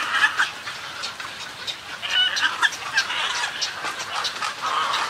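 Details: Snowy egret colony with colony and greeting calls: dense harsh, raspy croaks and gargling notes overlapping continuously, with a few brief higher squawks standing out.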